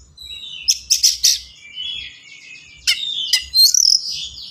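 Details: Oriental magpie-robin's fast, dense song used as a lure for untrained birds: three quick piercing notes, a high warbled whistle, then sharp strokes and a rapid rattling trill.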